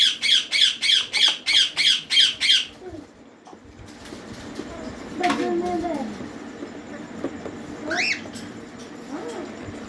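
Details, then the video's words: Rose-ringed parakeet chicks begging at feeding time: eight harsh, raspy calls in a steady pulsing series over nearly three seconds, then a man speaking and handling noises. "Green Ringneck Parrot Chicks Feed Time"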